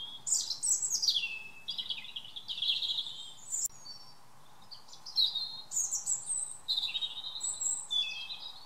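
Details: European robin's evening song in a garden, a run of varied high warbling and trilled phrases that slide downward, delivered in quick bursts separated by brief pauses, with a faint steady background hum.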